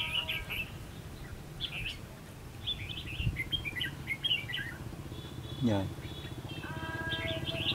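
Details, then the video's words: Red-whiskered bulbul singing at a fighting trap used to lure rival birds: short bright chirped phrases and warbled notes in bursts, with a low rumble of background noise and a brief human voice near the end. "Bẫy đấu Chào mào, Quá đẳng cấp Siêu nhanh. Sắc nét Đỉnh cao - Bẫy chim chào mào hót hay"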